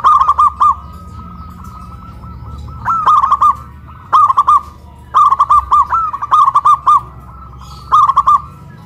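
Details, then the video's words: Local zebra doves, caged birds raised high on a hoist pole in Kuningan, West Java, Indonesia, singing loudly: short phrases of four to six rolling, mellow coos near one pitch, repeated every second or two with quiet gaps. "PERKUTUT LOKAL SUARA BESAR VS SUARA KRISTAL"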